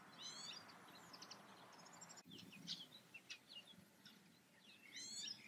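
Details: European goldfinch in the Eifel, singing bright twittering phrases with short buzzy notes at the start and end, a quieter gap of scattered chirps between, over low steady background rumble.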